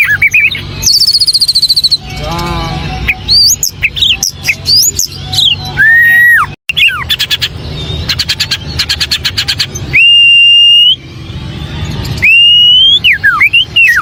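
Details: White-rumped shama in rich, varied song: rapid trills, looping whistles, buzzy rattles and long clear sustained whistles follow one another without pause over a faint low hum.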